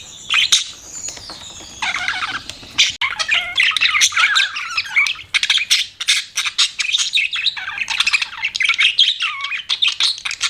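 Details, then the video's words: Pet budgerigars in loud, busy chirping: a thin whistled note opens, then comes a nonstop stream of sharp, scratchy chirps and warbles with rapid pitch jumps. "BUDGIES CHIRPING SOUND"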